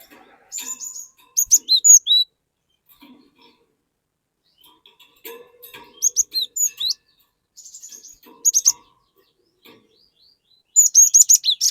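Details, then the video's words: A cinereous tit sings busily as a lure to coax untrained birds into joining in. Sharp, high, whistled note clusters come in rapid bursts, repeated several times with brief gaps, and faint chirps fill the pauses. "Burung Glatik Gacor Memancing Glatik Bahan Agar Ikutan Gacor Ngeplong"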